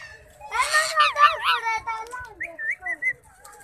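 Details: Indian ringneck parrot talking: quick, voice-like syllables with shifting, wavy pitch, followed by a few short higher whistled notes and fading quieter murmurs.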